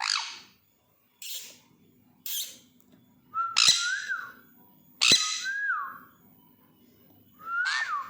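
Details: Sun conure screaming in the morning: harsh, broadband screeches come in short bursts, mixed with clear rising-and-falling whistled notes repeated several times, indoors with a faint low hum behind.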